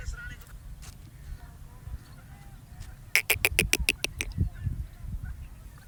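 A pheasant bursts out with about eight sharp, harsh pulses in just over a second as it flies off. A low rumble of wind runs underneath.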